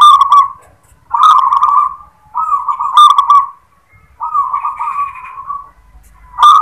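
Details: Zebra dove of local stock delivering the "klar ketek kuk" song: five bursts of purring, trilled cooing about a second apart, with one softer, higher note layered over the fourth phrase.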